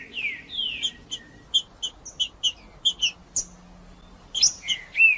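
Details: Singing male green-winged saltator used to warm up other birds; a run of short high chips between longer whistled, downslurred notes, ending in a strong burst of rich whistles.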